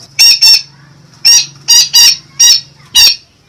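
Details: Parakeet in full voice, loud harsh squawks with a metallic ring, given in pairs and short bursts, with quiet gaps of about half a second between groups and a faint low hum beneath.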